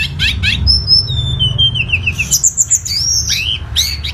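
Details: Song of a lesser shortwing: a few rapid harsh notes, then a long high whistle stepping gradually downward, followed by rising warbled notes and a rough burst at the end, over low hum.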